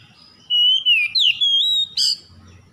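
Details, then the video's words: Oriental magpie-robin dawn lure song for stressed kacer: one continuous, clear whistled phrase that wavers and rises in steps, ending with a harsh, buzzy note. "PANCINGAN KACER EMBUN PAGI"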